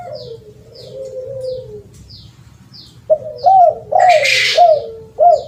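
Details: Spotted dove coos used as a lure, a low drawn-out note then a series of louder hooked coos, with repeated thin high chirps from another bird and a loud rushing noise burst.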